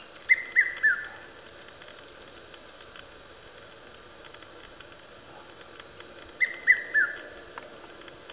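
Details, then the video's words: A male red-chested cuckoo in South African summer gives its loud three-note whistle, each note stepping down in pitch, repeated about every six seconds over a steady high hiss of insects. "Red chested Cuckoo"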